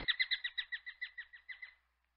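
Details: Common kestrel giving a clean series of about twelve sharp, high kee notes over nearly two seconds. The notes come evenly spaced and gradually fade toward the end.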